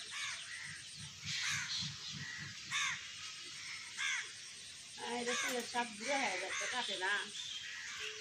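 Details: Common hill myna, a talking bird, in a garden: a run of sharp descending harmonic whistles, then a varied burst of lower, voice-like warbling notes near the end, over constant outdoor hiss.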